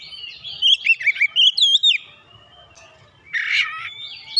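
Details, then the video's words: Kacer, the Oriental magpie-robin, agitated and provoked, pouring out its fill-in song material: fast varied whistles and slurred chirps, a short lull, a harsh buzzy burst, then a final clear whistle. "memancing emosi Kacer langsung panas emosi bongkar isian"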